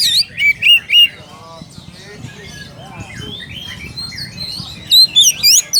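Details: Oriental magpie-robin calling a rival: loud whistled notes with sharp upsweeps at the start and end, a quieter warbling stretch between, faint background murmur.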